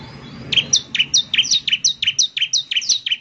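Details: Bar-winged prinia in full song, delivering a quick, steady run of bright, high-pitched downslurred chips, about three per second, over faint low background rumble.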